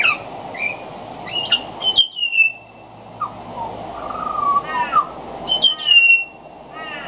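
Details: Pied butcherbird, a male on a veranda, singing with mimicry of other Australian birds: loud falling whistles alternate with harsh chattering rattles and a wavering mellow whistled phrase, all over a steady high-pitched hiss.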